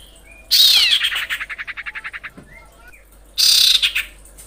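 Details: Female common iora calling the male: a harsh, buzzy high burst breaks into a fast run of about thirteen pulsed chattering notes that slow and fade. A second burst starts the call again about three seconds later.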